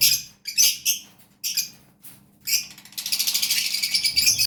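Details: Lovebird chicks begging: scattered rasping bursts at first, then a continuous, rapidly pulsing, wheezy churr that lasts over the final second and a half.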